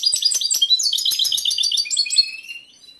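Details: Caged breeding-condition male European goldfinch with a wide repertoire, courting an indifferent female: rapid, bright twittering phrases packed with tinkling notes, fading into a drawn-out rising whistle and quiet.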